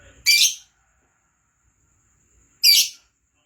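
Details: Lovebird giving two short, shrill, harsh screeches about two seconds apart, with near silence between them.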